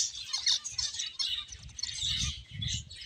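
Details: Playing finches twitter in rapid high chirps, accompanied by low fluttering and rustling sounds that grow stronger toward the end.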